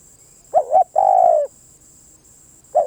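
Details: A single spotted dove phrase, a clipped double coo then a long even coo, followed by silence and the start of the next phrase. A faint steady high whine runs underneath.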